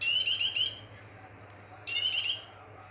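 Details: A white-eye in breeding condition delivers two high, rippling warbled phrases, the first trailing off into a thin whistle, separated by about a second of quiet.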